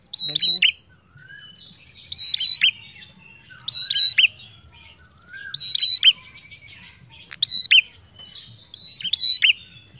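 A prinia sings high, sharp phrases: a brief flat whistle dropping into a quick chirpy slur, repeated about every one and a half seconds, over a faint low rumble.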